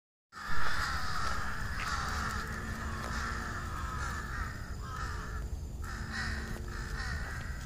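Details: Crows perched on treetops near their nests at dusk before dark, a dense flock chorus of harsh, overlapping caws that runs almost without a break for the whole stretch.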